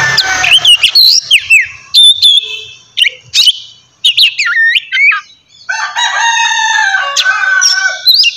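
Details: Morning kacer (Oriental magpie-robin) song to rouse a kept bird: sharp whistled swoops and clicks in short bursts with pauses, then a sustained harsh buzzy chatter and more whistles at the end.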